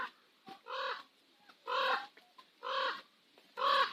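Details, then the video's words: Nose Hill, Calgary, at sunset: common ravens give four evenly spaced, hoarse, honking croaks, about one per second, with faint clicks between them. "Calgary sunset - Nose Hill Ravens"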